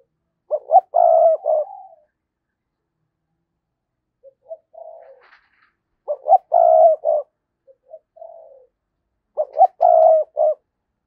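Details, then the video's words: Decoy spotted dove cooing to lure wild doves: three low, mellow phrases roughly every four seconds, each a couple of short hoots then a longer rolling coo, with soft quiet notes between and nothing else audible. "tiếng cu gáy - Chim Cu Mồi Thúc Và Gáy Gọi"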